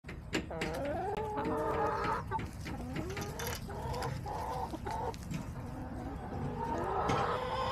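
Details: Backyard hens filmed on October 5, 2024, giving a busy run of drawn-out, harmonic clucks and squawks, several sliding downward, with several birds overlapping against a low rumbling background.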